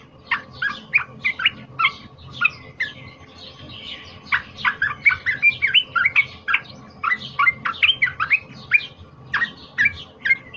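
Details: Wild-caught cream-vented bulbul singing a loud, high-emotion fighter song meant as a tutor recording: long runs of rapid, bubbly chirps, a brief softer lull near the middle, then renewed energetic chattering to the end; faint steady hum throughout.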